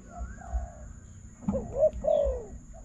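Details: Spotted dove in a decoy trapping contest: a soft coo, then a louder pair of falling coos near the end, over quiet low background noise.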